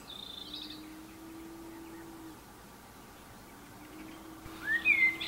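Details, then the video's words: Common blackbird (Turdus merula) singing in the evening: a single clear, fluty whistled phrase near the end, preceded by a faint high twitter, over a quiet background with a low hum. "Le chant du merle au soir"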